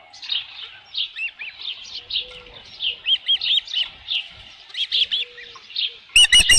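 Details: Nest-camera osprey with a headless fish, midday on 27 June 2018, giving steady strings of high piping chirps, each a short arched whistle, ending with a loud burst of rapid clipped notes.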